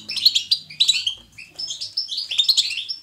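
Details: European goldfinch, lively natural twittering chosen to encourage other goldfinches to sing: three bursts of fast, bright, tinkling notes with buzzy trills, each lasting about half a second to a second and separated by brief pauses.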